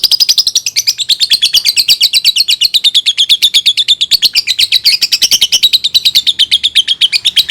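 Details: Lovebird singing, a sound for training young birds: sustained fast chatter of sharp repeated high notes with a wavering buzzy tone, running steadily for the whole stretch.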